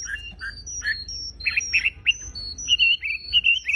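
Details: Vigorous song from a Javan pied starling: short, husky whistles and buzzy bursts alternate with thin, high, level notes, building into a quick string of loud, warbling phrases.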